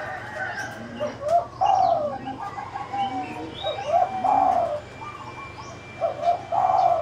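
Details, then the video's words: Caged spotted dove calling from the left cage; soft, low coos in short phrases repeated every couple of seconds, with faint higher chirps of other birds and a steady background hum. "Spotted Dove calling in the left cage"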